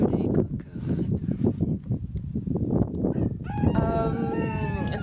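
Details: Roosters crowing on a farm: after about three seconds of French talk, one long harmonic crow rises, holds, then falls slightly, with speech continuing faintly under it.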